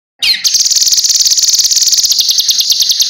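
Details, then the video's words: A cucak kinoi sings for other birds to learn from. A bright falling flourish leads into a steady, rapidly pulsed, high-pitched buzzy trill that carries on for nearly three seconds. "Masteran Burung Kinoi Jernih Gacor Paling Ampuh"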